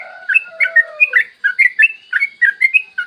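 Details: Yellow-vented bulbul singing a long, rapid 'ropel' song in the morning, used to lure other bulbuls into singing: bubbly, gurgling whistled notes tumbling up and down, with a lower warbled line underneath early on.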